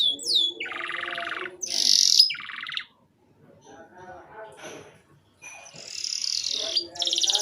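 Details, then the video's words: Broken canary song for encouraging young canaries to sing: buzzy trills and high rattles separated by a near-silent gap with faint murmuring. "RANGSANGAN DAN PANCINGAN KENARI PAUD AGAR CEPAT BUNYI DAN GACOR - kenari lain langsung respon"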